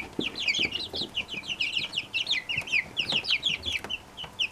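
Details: Brahma chicks from one hen chirping: clusters of short high peeps, slightly sweeping down, with soft taps and scuffles underneath.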